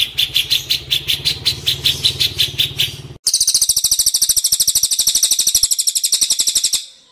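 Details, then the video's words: Cililin singing, meant as tutor material for white-rumped shamas: evenly spaced high chirps over a low rumble, then after a short break a much faster, denser run of shrill notes that fades away. "cililin vs cucak jenggot - masteran murai batu"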